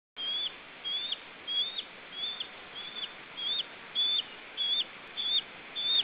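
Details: Lesser spotted eagle at its nest in Estonia, filmed by nest camera on 29 July 2013; thin, high whistled notes, each rising then dipping, repeated steadily about every 0.6 seconds over a constant background hiss.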